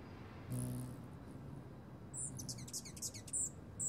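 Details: Rufous Hummingbird at a feeder contested with an Anna's Hummingbird, giving very high, thin, sharp chips in a quick uneven run over the last two seconds, after a brief low humming buzz near the start.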